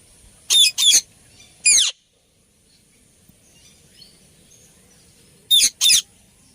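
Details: An Indian ringneck (rose-ringed parakeet, Psittacula krameri) gives harsh, screechy calls in two quick pairs with a single note between, loud and high, against a quiet background.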